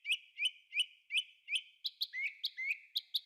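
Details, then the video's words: Thrush singing in a forest: a rapid series of sharp, bright notes repeated about three times a second, then varied buzzy, sliding whistled phrases at the end. "Thrush singing"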